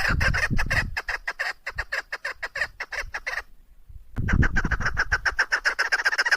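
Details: Female chukar partridge giving rapid, rough chuk-chuk notes in a quick regular series. The series breaks off for a brief silence and then resumes just as fast, with deep thuds and rumble in the background.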